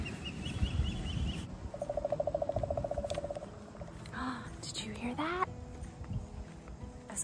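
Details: A woodpecker on a quiet, secluded public walking path outdoors gives a fast, even run of about twenty mid-pitched notes lasting under two seconds, then a woman speaks and footsteps sound on the path.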